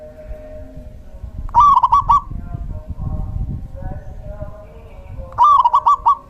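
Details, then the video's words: Male local zebra dove in active song, a lure to draw in and provoke other zebra doves: two phrases of staccato, rolling coos about four seconds apart, over a rumbling, noisy background. "Suara perkutut lokal jantan GACOR"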